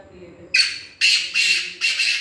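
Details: Black francolin, known locally as kala titar, giving loud harsh grating notes, four rasping broadband bursts about half a second apart, over a quiet low background.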